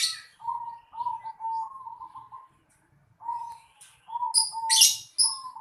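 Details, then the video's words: Zebra dove calling in a house yard: soft, stuttering, rolling coos at a low pitch, run together in phrases with a short pause, then sharp high chirps from another small bird near the end. "Suara burung perkutut di halaman rumah"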